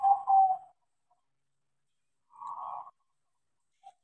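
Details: A caged crossbred zebra dove (perkutut), trained to sing, gives a short rolling coo phrase, then a fainter, even coo about two seconds later and a single brief note.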